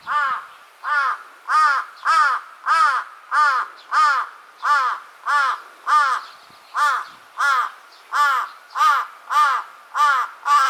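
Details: Threatening Large-billed crow, one of a pair: a long, steady run of about seventeen loud, raspy caws spaced just over half a second apart, with only a faint background between calls.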